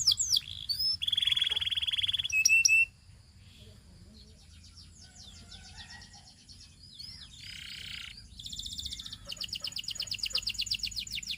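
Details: Belgian canary song heard in bursts: a loud, dense high trill for nearly three seconds, then quieter scattered chirps and a short buzzy burst, ending with a renewed rapid trill.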